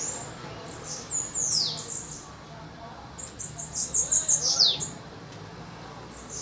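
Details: Bananaquits in a singing duel: two bursts of very high, thin, buzzy trilled song, each about a second or more, sliding downward at the end, with a quieter gap between them and low background hum.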